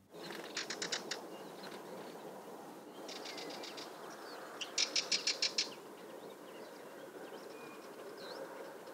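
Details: Sardinian warbler alarm call: three dry, rattling bursts of rapid ticking notes, like a harsh machine-gun chatter, a second or two apart over a soft background hiss.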